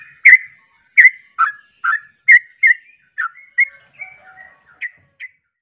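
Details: Trucuk, the yellow-vented bulbul, singing as a lure to provoke rivals: a string of chirped notes that starts loud, then fades into softer, shorter notes with brief quiet whistles.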